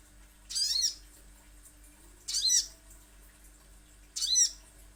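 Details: Little spiderhunter, from lure recording. Three harsh, high squeaks spaced roughly every two seconds, each bending downward, with a faint low hum in the background.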